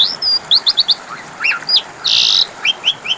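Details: Lure song of the Asian pied starling for birds that have stopped singing: a few quick high chirps, looping whistled notes, one rasping burst, then short upward whistles.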